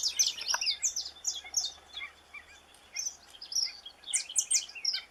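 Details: A saffron finch from Brazil gives a jumble of high twittering notes that fade mid-phrase, then return as a louder flurry of sharp chirps, over a hissy background.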